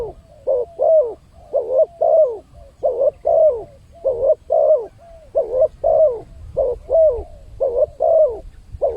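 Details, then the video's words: Coos of a spotted dove serving as a lure to bring wild birds closer: continuous series of about sixteen soft notes grouped in twos, evenly spaced, each ending with a small drop in pitch. "suara pancingan burung tekukur, untuk mendatangkan burung liar."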